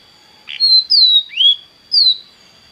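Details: Belgian canary sings a few clear whistled notes, gently falling and rising slurs, spaced about half a second apart over a faint steady tone.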